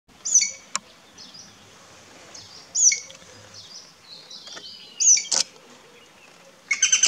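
Common green magpie giving short, sharp, high whistled notes in brief bursts about every two seconds, with a few faint clicks in a quiet background.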